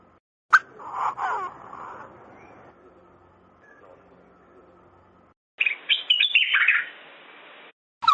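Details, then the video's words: Button quail giving quick, high chirps and twittering notes in two short bursts, with a faint steady hum between them. "button quail sound"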